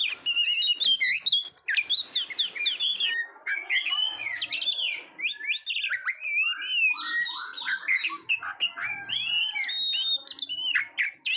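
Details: Oriental magpie-robin (kacer) singing in Indonesia, a recording used to train competition birds to sing readily: rapid, varied whistled phrases with swooping notes, quick trills and high sharp chips, delivered almost without pause.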